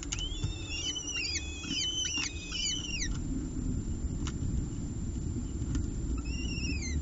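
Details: Peregrine falcons at a camera-watched nest ledge in Orange on 30 September 2018, the female tearing small pieces from a bird the male brought to feed two eyases. A burst of thin, arched, whistled chips repeats quickly, then fades, with a low background rumble.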